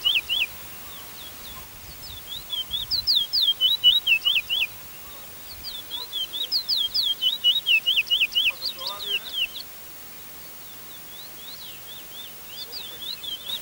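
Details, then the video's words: Chestnut-bellied seed finch (bullfinch) at a 2019 whistling competition in Arima, Trinidad, sings bursts of quick, high, sliding whistled notes, about two per second, in two long runs with faint chirps from other birds between. "Bullfinch Bird Whistling Competition"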